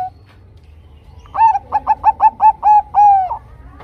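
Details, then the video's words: Zebra dove, a Bangkok-type perkutut, singing a lure song meant to draw other zebra doves into singing: a run of eight rapid, mellow, even coos about 0.15 s apart, ending in one longer drawn-out note. "Suara PANCINGAN Perkutut Bangkok Gacor 100% TERBAIK Paling Cepat Bikin Perkutut Macet BUNYI"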